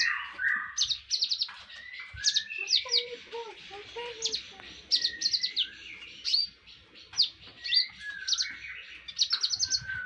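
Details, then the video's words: Konin song from a training recording popular with Indonesian songbird keepers: rapid bursts of high, sharp, repeated chip notes alternating with lower whistled slurs and brief mid-pitched warbles over ten seconds. "Konin mewah masteran wajib kicau mania"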